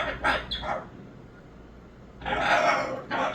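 A Moluccan cockatoo gives two quick harsh, raspy squawks, then after a pause a longer grating call and one more short squawk.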